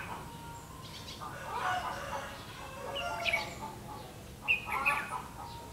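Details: Red-whiskered bulbul recorded during trapping on 31 October 2016; short bright whistled phrases around one and a half, three and four and a half seconds, over a steady low background hum.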